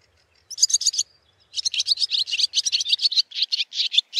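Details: Barn swallow (Hirundo rustica), a migratory bird breeding across Finland, delivering a rapid run of high twittering notes after a short opening burst, notes repeating quickly and steadily.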